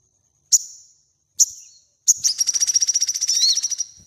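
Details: Crimson sunbird song recorded as a master track for training cage birds: two thin ticks a second apart, then a third launching a rapid, even, high-pitched buzzing trill lasting about two seconds.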